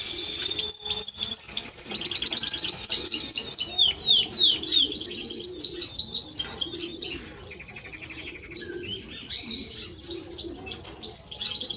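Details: Timbrado Español canary singing: quick repeated chirping phrases and falling whistled notes, then a lower dry rattle, a quiet gap and a loud buzzy burst; soft cooing faintly underneath.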